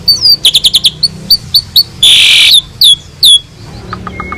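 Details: Asian pied starling song, a master recording for tutoring other birds: rapid run of bright chirps, a harsh rasping burst, then sharp squeaky notes and a few soft ticks near the end.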